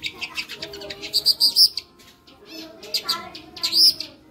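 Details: Long-tailed shrike singing lively fill phrases: quick runs of high, piercing whistled notes, with fainter lower warbling underneath and a short lull midway.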